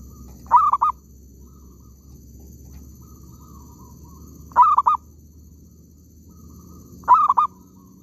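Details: Cooing of a zebra dove at an oil palm plantation during bird trapping. Three short, broken phrases of rapid mellow notes come roughly every three seconds against quiet background hum.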